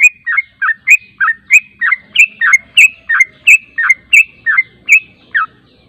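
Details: Yellow-vented bulbul song played as a lure to provoke replies: a steady, fast stream of clear, bubbly chirps, around three every second for six seconds, each note sliding down and back up.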